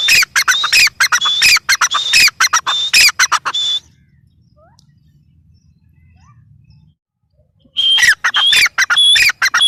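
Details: Grey francolin (teetar) calling in rapid, harsh bursts with sharp whistles, falling silent for about four seconds, then resuming just as loudly.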